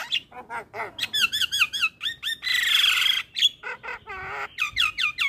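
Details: Black-winged starling master song for training starlings: rapid series of stacked, wavering whistled notes in quick bursts, a harsh buzzy squawk near the middle, then more repeated bent whistles.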